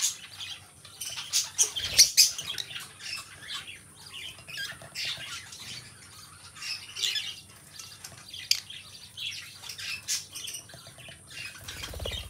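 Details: Companion lovebirds, two birds kept together indoors, calling in an irregular stream of high, harsh squawks and clipped chirps. Louder peaks come around two, seven and ten seconds, with quieter twittering between them.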